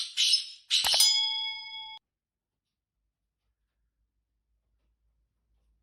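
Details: Two sharp metallic clangs ring briefly, then the rest is silence.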